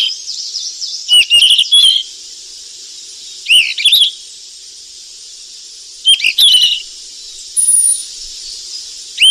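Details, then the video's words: Wild golden flycatcher bringing food to its young: repeated short bursts of high, sharp chirps and rising whistles, about four clusters over nine seconds, with a constant high buzz of insects behind. "BURUNG SIKATAN EMAS YG CANTIK DI ALAM LIAR LAGI LOLOH ANAKNYA PLUS SUARA MASTERAN"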